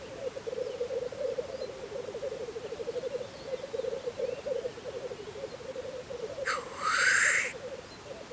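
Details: Black grouse displaying at a spring lek in Russia, a continuous bubbling, dove-like rookooing murmur throughout, broken near the end by one loud, rising hissing 'chuff-wheesh'.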